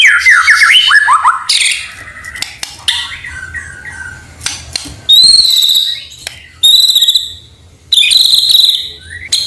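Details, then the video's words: White-rumped shama singing hard, with canary and cililin mimicry mixed in: fast looping whistles at first, then loud, clear, high whistled notes separated by brief silences, some with buzzy sweeps. "murai gacor full isian kenari cillin"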